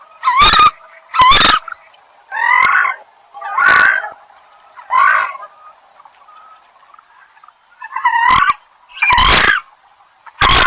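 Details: Eurasian coot (Fulica atra), call.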